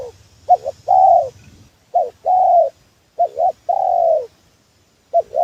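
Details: Tekukur, the spotted dove, giving a trapping lure call: a quick wavering two-part note, then a drawn-out mellow coo that dips at its end, repeated in four phrases with short silent gaps.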